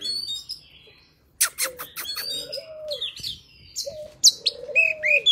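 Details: Forest-voiced Oriental magpie-robin song meant for tutoring young birds: bright, high whistles and chirps in uneven phrases over a softer, lower cooing note repeated in the background.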